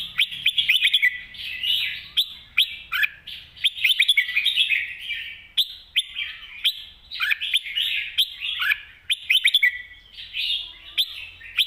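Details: Red-whiskered bulbul in full master song, long energetic stream of warbled whistled phrases and quick chirps, broken by short pauses, accompanied by crisp clicking sounds.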